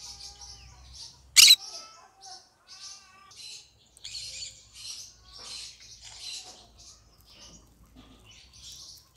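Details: Green-cheeked conure keeping up a long string of soft scratchy chatter and faint whistles after one sharp shriek early on.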